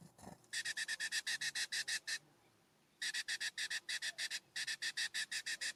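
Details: California scrub-jay at a ground bird feeder on a warm September morning, uphill from a cabin: harsh, rasping notes fired in fast runs, about a dozen in the first, then two shorter runs after a brief pause.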